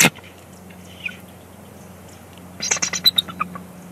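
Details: Bald eagles calling at a Big Bear Lake nest on 1 March 2021 during a nest shift change. Mostly quiet at first, then a quick burst of high, stuttering chattering notes near the end over a faint low hum.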